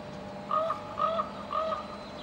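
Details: Raven giving three short, hoarse, slightly nasal calls, each about half a second apart, over a steady background hiss.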